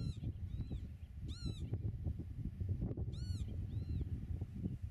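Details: Pied avocet calling from the nest in Dutch meadowland, filmed at 8 metres: two loud bursts of ringing, arched kleep notes with softer single notes between, against steady low wind noise.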